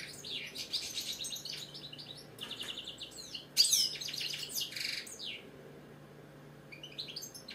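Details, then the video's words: Caged British goldfinch in song: fast, tinkling, liquid twitters and buzzy trills in a continuous run, pausing briefly near the end, with a low background hum. "Casanova the British Goldfinch singing, Chardonneret , Cardellino, Jilguero, bird song"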